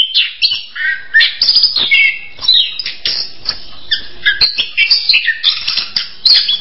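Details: Orange-headed thrush delivering a busy medley of bright whistles, downslurred notes and scratchy chips, phrases tumbling into one another with brief gaps.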